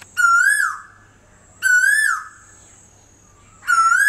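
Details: An Asian koel singing from a tree at a home in Bagharbori, Panjabari, Guwahati, gives loud, clear whistled notes that rise and swell, repeated about every two seconds, over a faint steady background hum.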